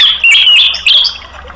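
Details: Orange-headed thrush song meant to trigger singing in other caged birds: a short loud sequence of clear, high whistled notes with quick wavering slurs, fading into softer notes.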